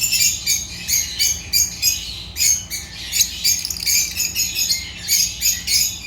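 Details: African lovebirds (Agapornis) giving rapid high, squeaky chirps in quick bursts, about three to four per second, with brief pauses between runs.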